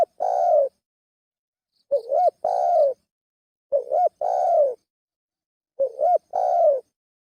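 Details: Lure call of a spotted dove: a long coo, then three phrases of a quick rising warble and a longer sliding coo, spaced about two seconds apart, otherwise silent.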